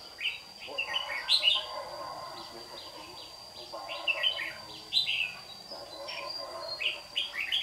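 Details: Red-whiskered bulbul, white-cheeked form, singing a duel as a trapping decoy on a morning in Đồng Nai, Vietnam, 26 June 2019; clusters of rapid sweet whistled notes return every few seconds while a man talks quietly.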